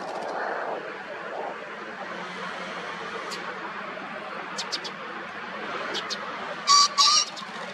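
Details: Male green pheasant (Phasianus versicolor) crowing and wing-drumming in the morning, 19 April 2024, Yanagishima coast, Chigasaki, Kanagawa, Japan: two loud, harsh bursts near the end over steady traffic hum and faint bird notes.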